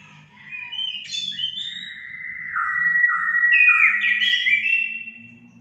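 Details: Orange-headed thrush song played as therapy to stimulate pet birds to sing; a sequence of clear whistled phrases, some sliding down and others jumping up, rising in strength toward the middle, over a faint low hum.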